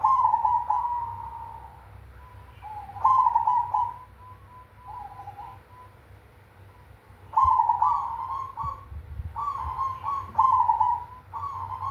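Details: Cemani zebra dove singing in the big 'kung' style. Several loud, stuttering coo phrases trail into drawn-out notes, with quieter cooing in between, all over a constant low rumble.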